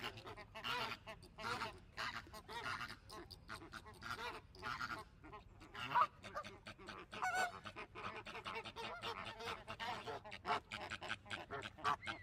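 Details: Flamingos calling as a flock: a dense, continuous chorus of nasal, goose-like honks that overlap without a break, with a few louder single honks standing out near the middle.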